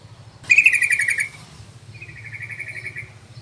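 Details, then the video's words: Yellow-vented bulbul (trucukan) lure call, used to draw in other bulbuls: a loud, bubbly burst of rapid chattering notes lasting under a second, then a softer, quicker chatter series, with a low hum underneath. "SUARA PANCINGAN BURUNG TRUCUKAN"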